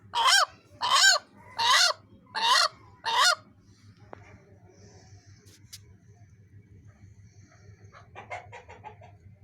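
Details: Hen guarding its egg, giving a dog-like barking sound: five harsh, loud, rasping barks in quick regular succession over about three seconds, then quiet with faint rustling and a few softer scratchy sounds.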